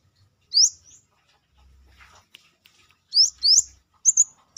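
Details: Brown-throated sunbird, locally manggar, singing freely outside the cage: sharp rising high-pitched chirps, one early then a quick cluster of four near the end, in otherwise quiet surroundings.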